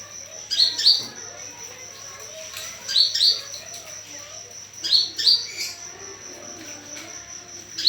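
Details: Pancingan call of an olive-backed sunbird, used to draw a response: clipped high chirps in doublets, repeated roughly every two seconds in three clear bursts, over a steady high-pitched whine.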